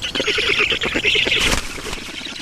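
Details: Estonian black stork nest, 7 June 2019, 11:03, water delivery: short spell of raspy, pulsing squawks ending in a sharp burst, then fading.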